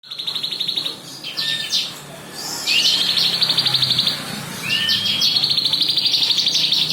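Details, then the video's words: Bar-winged prinia song, recommended as tutoring material for songbirds such as magpie robins: high, fast buzzy trills of rapidly repeated notes, broken by short rising slurred whistles, then a long sustained rattling trill. "CIBLEK BREEN BELALANG EMAS rekomendasi buat masteran burung MURAI BATU, CUCAK IJO, KACER DLL."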